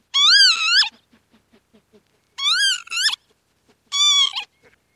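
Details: Three wheezy Northern lapwing calls with a wavering, slurred quality and a downward twist, about one and a half seconds apart, over faint regular ticks.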